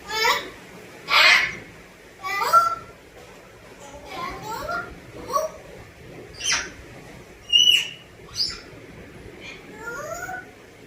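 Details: African grey parrot talking in Telugu: a string of short, word-like bursts with rising and falling tones, voiced syllables spaced about a second apart, plus a few sharp whistled notes, over a faint hiss of room noise.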